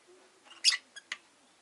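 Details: A rosy-faced lovebird gives one loud, shrill, buzzy chirp followed by two brief, thinner chips within half a second, against a quiet background.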